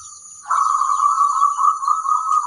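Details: Local zebra dove song meant to prompt other zebra doves to answer. One sustained, evenly trilled phrase begins half a second in and runs to the end. A constant high-pitched background hiss is present.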